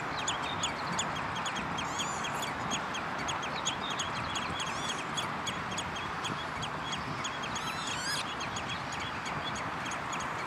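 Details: Common redshank recorded on 11 June 2013 at the De Wollebrand water storage area in Naaldwijk, Westland, Netherlands: short, high whistled notes repeated throughout, some in quick descending runs, over a steady loud rushing background.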